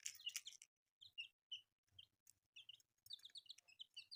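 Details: Newly hatched colourful chicks cheeping: an opening noisy burst, then spaced high peeps that grow into a quick overlapping run of chirps, with faint low thumps beneath.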